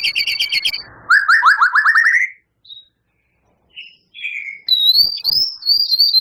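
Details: Rapid-fire burst from a champion White-rumped shama with mimicked canary and lovebird phrases: a fast high trill, a rising series of rich slurred notes, scattered soft chips after silence, then sweeping whistled phrases.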